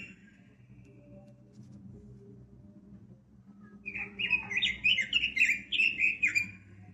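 Red-billed leiothrix sings a quick, bright warbled phrase of rapid, rising-and-falling notes for about three seconds, over a low background hum.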